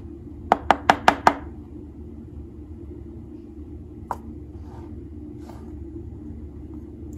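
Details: Low steady rumble fills a small room, broken by a quick burst of five sharp taps near the start and two single clicks later, with no animal voice.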